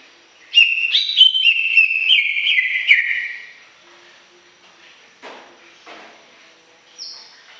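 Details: Cucak ijo, the greater green leafbird, giving lively 'gacor' song meant to stir silent leafbirds into singing. About three seconds of loud, stepped, descending whistles are followed by near silence with a few soft scratchy sounds and a brief high whistle.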